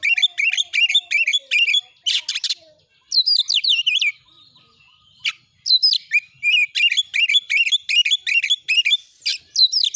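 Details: Oriental magpie-robin training song meant to provoke other birds into singing and display: loud, rapid bursts of high, sharply modulated whistled notes repeated in quick phrases, with a short buzzy burst and a brief pause midway.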